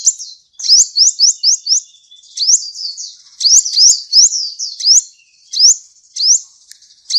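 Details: A sunbird, recorded as a training song for other birds, sings in high, thin, rising slurred notes, several quick series of four or five chirps with brief pauses between them.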